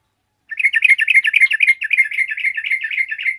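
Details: Yellow-vented bulbul, answered by others of its kind, delivering a continuous three-second stream of rapid, gurgling, bubbly notes. The pulse is steady and the voice gradually softens toward the close.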